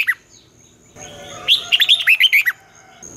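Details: Red-whiskered bulbul in morning song, 'giọng xoắn' style used to train young birds for singing contests: one lone note, a short pause, then a rapid run of about eight clear, bouncing whistled notes.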